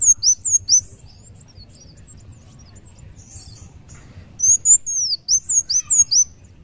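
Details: Kolibri wulung sunbird singing in two bursts of high, thin, curved whistles separated by a few quiet seconds, the second burst faster and denser.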